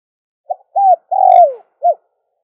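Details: Dove calling sound meant to draw in doves. One phrase of four mellow coos: a clipped opener, an arched coo, a drawn-out coo that falls in pitch, and a short final note. The recording is otherwise quiet.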